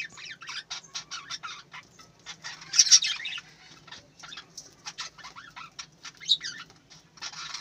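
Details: Budgerigars at a breeding farm chirping together: a busy, overlapping chatter of soft warbles and scratchy chirps, with a few louder squeaky notes, and a faint low hum underneath.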